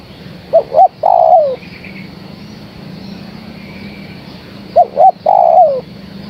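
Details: Two phrases from a female spotted dove calling the male, each with two clipped coos and then a long coo that tails downward. A faint, higher chattering from another bird is heard between them, along with low background hum.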